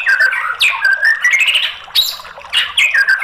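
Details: White-rumped shama lure recording for a bird that will not sing: dense, harsh, squawky phrases mixed with buzzy slurred notes, loud and continuous.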